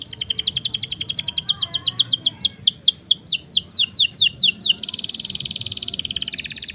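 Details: Canary singing, offered as a master song and lure for stalled or young canaries: a rapid series of downward-sweeping whistled notes that builds in pace, then breaks into a dense, even rolling trill.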